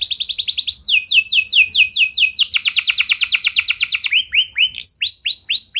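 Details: Canary in full song, played to prompt other canaries to sing long: fast high trill, cascading downward sweeps, a rapid rattling run, then slower rising whistled upslurs.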